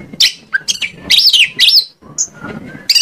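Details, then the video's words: An Oriental magpie-robin in full song, played to coax other magpie-robins into singing: looping, warbled whistles that sweep up and down, followed by a thin high note, over a faint low rumble. "PANCINGAN KACER AGAR ON MAU NGOBRA !! KACER MANAPUN PASTI LANGSUNG NYAUT"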